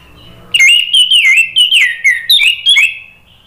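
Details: Gacor ngeplong song of an orange-headed thrush, used to coax a stalled bird into singing: a continuous run of bright, slurred whistles broken into quick separate notes over about two and a half seconds.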